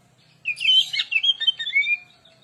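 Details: Oriental magpie-robin in full gacor lure song used to rile up other birds: a brief rush of bright whistles and scratchy notes, ending in a clear drawn-out whistle.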